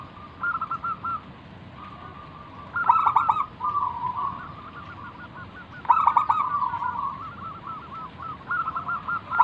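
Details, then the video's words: Local zebra dove singing manggung to lure other doves into song: two long phrases, each starting with a rapid staccato burst and fading into a series of soft pulsed coos. "burung perkutut lokal Gacor manggung"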